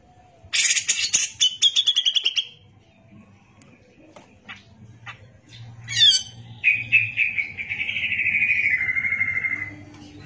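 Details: Cucak jenggot (Brown-cheeked bulbul) singing gacor for tutoring other birds: a rasping rapid-pulsed phrase, a pause, then a sharp note leading into a long wavering whistle that slowly falls in pitch. A low hum sits underneath.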